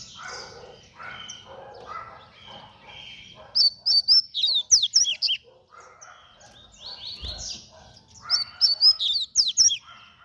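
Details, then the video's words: Double-collared seedeater with a fast song: two loud bursts of sharp, high whistled and slurred notes, quickly repeated, over a steady background of softer, lower chattering and twittering. "COLEIRO RÁPIDO"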